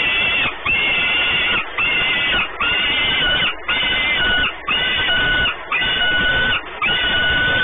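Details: Nesting peregrine falcons, Orlen Płock, Poland, 28 May 2019: a regular series of harmonic wailing calls, each close to a second long, given roughly once a second with brief breaths between.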